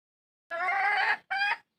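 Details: Chicken hen seeking a rooster utters one long, nasal, strongly harmonic squawk followed by a shorter, similar note.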